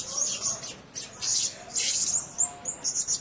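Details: Blue-crowned hanging parrots kept together in a cage give scattered, thin, very high squeaky chirps in short bursts with brief gaps, over a faint low background hiss.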